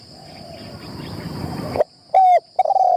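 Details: Spotted dove acting as a trapping decoy on its first training in a tent. After rustling noise comes a clipped low coo, then a longer, steady hooting coo and the start of another. High insect buzzing persists in the background.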